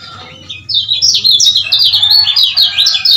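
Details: Male lemon-bellied white-eye of Lombok, whose call serves to excite other males. Following a brief lead-in, a dense, shrill chatter of rapid zigzag notes rings out without pause, over a low background hum.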